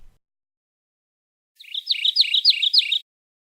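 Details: Mourning Warbler sings a one-section song, unusual for the species, which usually sings several sections, and similar to Common Yellowthroat: about five quick, rich phrases, each with a brief rolled trill, high and evenly spaced, under two seconds.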